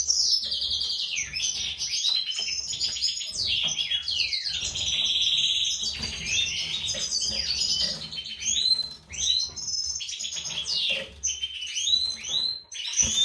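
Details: European goldfinch song from a breeding pair, white-throated mutation male and classic female, kept in captivity; lively jumble of sharp downslurred notes, chattering trills and tinkling twitters, steady for several seconds then broken into spaced bursts.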